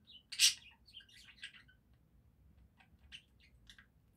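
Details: Budgerigar singing: a sudden loud harsh chirp opens a soft run of quick high twitters and chatter, then sparse quiet chirps over faint low hum.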